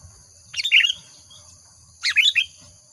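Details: Sooty-headed bulbul giving two lively gacor phrases of slurred, warbling whistles a second and a half apart, against a low rumbling background noise.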